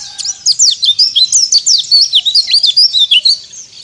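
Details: White-eye in ngalas-style song, used to rouse rival birds: a steady, fast run of high, sharp, downslurred chirps, about four per second, closely packed throughout, against a quiet background.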